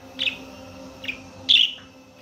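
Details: Budgerigar giving three short, bright chirps spaced about a second apart, the last one longer and louder, over a quiet background.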